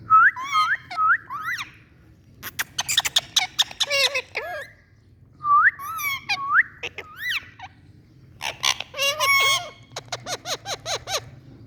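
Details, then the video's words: Indian parrot mimicking speech, repeating its word Mithu, with rising whistled phrases and chattering syllables in clusters, low background hum. "Indian Parrot Saying Mithu Mithuu"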